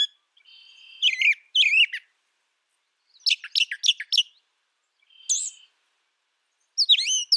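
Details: A brown thrasher sings distinct paired phrases: looping slurred notes, then a rapid group of sharp downward chips, a short single whistle, and falling slurred notes, with clean pauses between.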